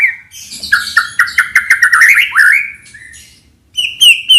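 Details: Lure recording of a white-rumped shama singing a dense, fast medley of chirps, trills and clear whistles that rises overall, a pause, then a few high, ringing, down-slurred whistles.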